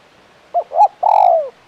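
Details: Spotted dove (tekukur) with a KUK 1 call: a short soft coo, a rising then falling second note, and a long resonant coo sliding downward, delivered once in under a second.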